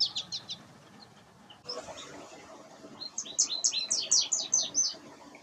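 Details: American goldfinch song, birds in breeding plumage: a brief run of high chirps, a pause with faint background noise, then a lively series of bright, rising and falling twittered notes about three per second.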